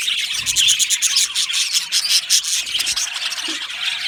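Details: Several happy budgerigars in an aviary colony, chattering with fast, scratchy chirps and clicks layered into a constant high twitter.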